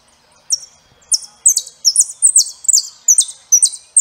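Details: Saffron finch delivering a steady series of high, paired slurred notes that fall in pitch, repeated about three times a second.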